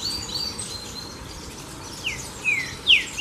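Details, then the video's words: A Green-winged saltator (Trinca-ferro) gives three loud, clear, descending whistled slurs in the final second, after faint high notes, over steady background hiss. "Trinca Ferro de Canto Sou Terrível"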